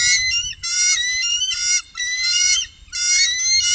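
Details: Bald eagles, a trio on the Upper Mississippi, 2018: four long, rich, whistled chattering phrases follow one another with short gaps, each slightly rising, over faint low background noise.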